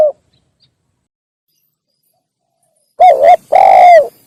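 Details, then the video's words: Single spotted dove phrase for luring wild doves: after long silence, a wavering double note followed by a longer descending coo. "suara burung tekukur derkuku untuk pikat"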